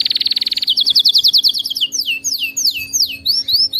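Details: Singing canary for training a caged pet to sing: a loud fast trill for under a second, then a rolling series of repeated notes and falling swooped whistles, steady and strong throughout.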